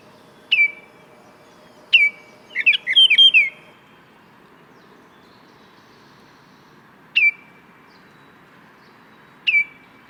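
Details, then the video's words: Baltimore oriole giving sharp, clear downslurred whistles spaced several seconds apart, with one brief cluster of quick fluty notes early on, over a low steady hum. "What does a Baltimore Oriole sound like?"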